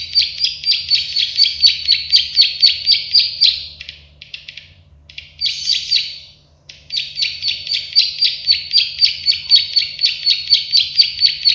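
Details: Plain prinia, prenjak sawah, produces long, very regular trains of buzzy clicking notes at about four per second, interrupted once by a short gap with a few scattered ticks.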